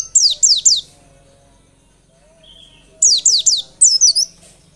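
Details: Lure recording of a white-eye singing, meant to spur other birds into constant, insistent song: short runs of three or four piercing, falling whistles, a quiet gap, then another rapid run ending in twittered notes.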